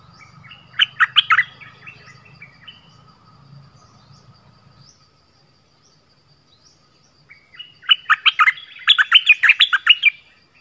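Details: Orange-headed thrush, its song used as a lure for wild birds: a fast jumble of bright whistles and chattering notes, a long silent gap, then a longer, denser outpouring of varied warbled phrases.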